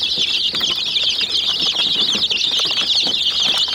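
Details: Domestic chicken chicks swarm a miniature jeep toy, their shrill wavering peeps merging into one continuous high chatter, with faint knocking from beaks underneath.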